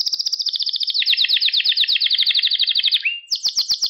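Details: Pet canary singing, recorded to train young canaries: a long, dense, fast trill that drops in pitch after a second, then a rising slurred whistle and another high rapid trill.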